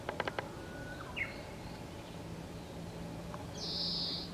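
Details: Oriental greenfinch at Mizukoshiyama, Fukuyama, Hiroshima, Japan, on 6 May 2015, giving a plain subdued call unlike its usual trilling song: a thin, even whistle, then a short sharp downslurred note, with quick clicks before and a brief hiss after.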